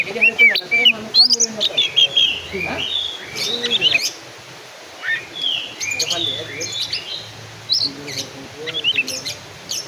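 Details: Black-and-white Oriental magpie-robin delivering a varied song of clear upslurred and downslurred whistles mixed with harsh chips and fast trills, broken by quieter gaps, with some lower background sounds.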